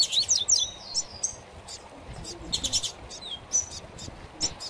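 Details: Double-collared seedeater song in a singing contest over a female, with other seedeater species: quick, high whistled phrases and sharp chips with sliding notes, more than one bird singing over a soft background hiss.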